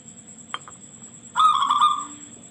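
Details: Local zebra dove with a piercing voice, kept as a lure so other zebra doves respond. A single click is followed by one rapid, beaded coo phrase lasting about three quarters of a second.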